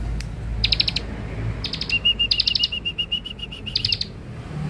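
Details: Young bar-winged prinia (ciblek dakun), used for luring, mixing bursts of bright chirps with a fast, level, pulsing trill, the chirps overlapping the trill, over a quiet low background.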